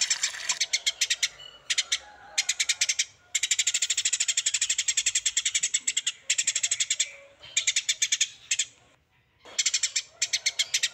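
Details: Bird on a masteran training recording for songbirds, giving harsh, clicking rattles in bursts of many rapid notes, separated by short pauses, over a quiet background.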